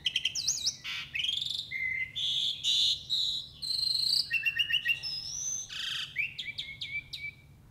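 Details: Jalak uret starling singing in the full isian style with many loud, rapid, varied phrases: whistled upward slides, buzzy bursts and quick trills packed close together and changing constantly, over a soft low hum.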